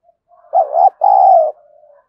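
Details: Spotted dove used as a decoy to provoke wild birds, calling in a gruff 'thổ' style voice. A single clear phrase: a quick double note, a brief pause, then one long, level, hoarse coo. Soft low humming tones sit around it.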